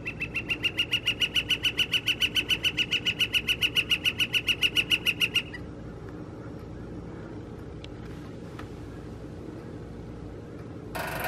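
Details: Northern flicker drumming on April 17, 2021: a fast, even series of sharp knocks, about 3.5 per second, lasting some five seconds and then stopping, followed by quiet background and a brief noise burst at the end.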